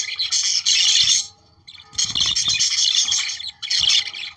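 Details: Budgerigar song played to activate breeding: a chattering burst, a short silence, then longer rasping warbles with squeaks and a final short burst, soft low knocks underneath.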